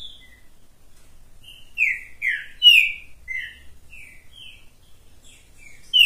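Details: Singing on the hand, a green-winged saltator delivers a series of short, sweet whistles sliding downward, some loud and some softer, spaced irregularly through the phrase.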